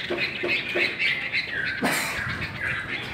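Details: Chinese hwamei at a singing contest giving rapid, rough, chattering song notes in quick succession, with a sharp harsh burst partway through over background noise.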